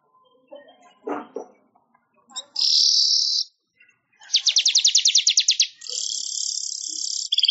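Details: Weaver (manyar) song used for training songbirds: a dry rattling trill of about fifteen rapid buzzy notes, then long flat hissing buzzes, with faint low chatter and soft noises at the start.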